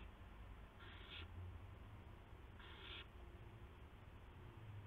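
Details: Evening of March 18, 2016, 8:00 PM, an owl arriving with a gopher gives two rasping, hiss-like screeches about half a second long, roughly two seconds apart, over a low continuous hum.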